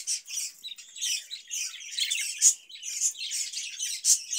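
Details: Caged budgerigar, fed cucumber in the hot season, produces steady scratchy warbling mixed with sharp squeaky peaks, continuous throughout.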